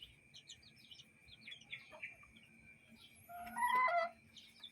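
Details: Chickens and chicks in a yard and coop: a few faint high chick peeps at first, then a loud, harsh squawk lasting under a second near the end over a steady background hum.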